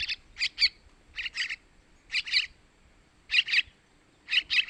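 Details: Begging chicks of yellow-vented bulbul, used to draw in males: grating paired chirps repeated about once a second, clean quiet background.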